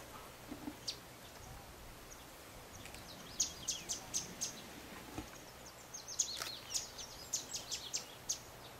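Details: Yellow Warbler (Setophaga petechia aureola) on Floreana, Galápagos, Ecuador, in May 2012, singing in two bursts of thin, very high, quick notes, each a run of four or five sweet chips over steady background hiss.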